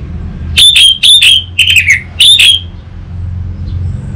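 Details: Orange-headed thrush song offered as a lure and tutor for untrained birds: four loud, clipped whistled phrases with harsh overtones in under two seconds, the third sliding downward, over a faint low hum.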